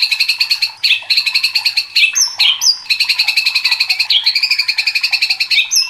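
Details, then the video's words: Excited white-rumped shama giving a fast, steady string of buzzy repeated notes, about ten per second. The string is broken by brief high whistled flicks and resumes almost without pause. "DIJAMIN MURAI LANGSUNG KOAR-KOAR TERSULUT EM0SI | murai batu gacor | shama bird"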